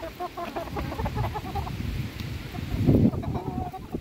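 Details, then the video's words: Chickens being fed, soft overlapping clucks in the first seconds, then a loud low thump and rustle near the end. "alimentando mis gallinas"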